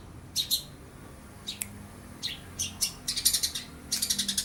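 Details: Young long-tailed shrike imitating lovebird and house sparrow: short harsh high bursts at first, then a stuttering, rapidly pulsed chatter near the end.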